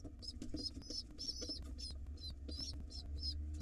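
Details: Pigeon nestlings, wild, crying for food while fed by their father: quick strings of high, slurred squeaks, some doubled, packed closely together, over soft rustling and a low hum.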